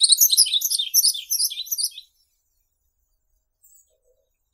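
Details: Yellow-throated bunting (Emberiza elegans) song: one quick two-second phrase of thin, high, jingling notes, tumbling rapidly, followed by quiet.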